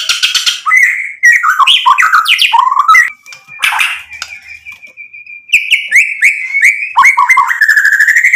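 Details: White-rumped shama in varied song, used to get rival birds to answer: rich jumbled whistles and chatter, a held level whistle in the middle, then rising slurred notes and mimicked phrases.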